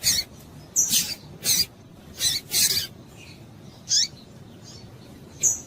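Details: Female double-collared seedeater calling to stimulate males: brief high, scratchy chip notes in short bursts, spaced irregularly with gaps of about half a second to a second, with a few thin upswept squeaks between them.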